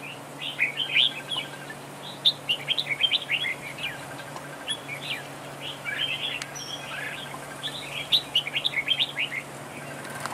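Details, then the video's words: Red-whiskered bulbul duel singing as a trap decoy. Bursts of rapid, bright warbled phrases come in groups of several notes, with brief pauses between groups and a faint steady hum underneath. "Bẫy đấu chào mào cực đẹp, hót cực hay"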